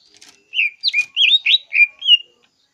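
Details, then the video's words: Greater green leafbird singing: a short run of six loud, clear whistled notes, each sliding and warbling, delivered in quick succession against a silent background. "Cucak ijo Gacor Suara Asli Alam"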